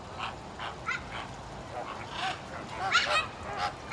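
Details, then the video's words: Captive flamingos at Stone Zoo, Massachusetts, give short nasal goose-like honks, scattered singly and in small bursts over about four seconds, with a louder cluster of overlapping honks near the end. "Funny Sounds of Colorful Flamingos"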